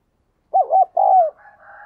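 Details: Captive spotted dove, a diligent cooer with a 'đồng kim' voice, used to coax newly caught birds into cooing: a single mellow three-part coo ending in a drawn-out falling note, followed by a faint, softer tonal sound.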